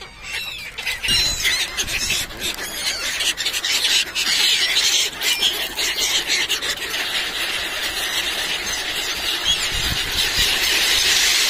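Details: A crowd of seagulls on Somnath beach, Gujarat, screaming as pilgrims feed them junk food: shrill overlapping squeals and squawks several times a second, with a faint hiss of surf.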